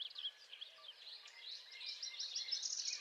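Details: Northern parula singing in spring: a high, buzzy trill that climbs and grows louder over the final second, heard over a busy background of other birds' chirps and twitters.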